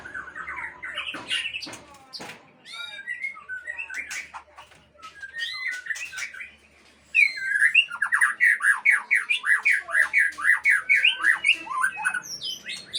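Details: White-rumped shama from a breeding aviary in a varied song: scattered whistles and sharp clicks, then a loud, fast series of rising and falling whistled notes in steady succession.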